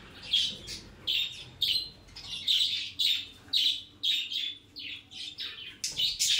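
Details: Pet budgerigars playing at home chirp in quick, scratchy bursts, a bright chatter repeating about every half second.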